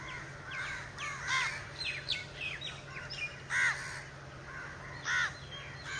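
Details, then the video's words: Spotted owlet calling at close quarters, the bird unbothered by people nearby; a run of harsh, scratchy chattering notes with down-curving shapes, about a dozen in six seconds, a few louder bursts, over a steady low hum. "Spotted owlet at close quarters!"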